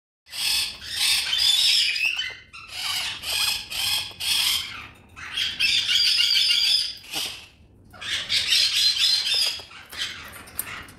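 A macaw gives loud, harsh, raspy squawks in rough bursts of about a second each, sometimes run together, with brief pauses between.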